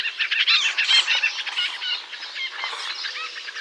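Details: Rapid run of nasal, harmonic-rich White-breasted nuthatch notes in a North American forest, tightly packed and fading slightly, over a background of mixed bird chatter.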